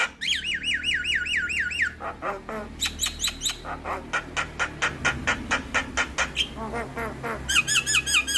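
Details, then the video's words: Javan myna used as a lure and tutor song for starlings: a run of looping wavy whistles, then a long rapid series of harsh, clipped notes about twice a second, ending with more bright whistles. "PAncingan Dan Masteran Jalak Kebo Buat Semua Jenis Burung Jalak"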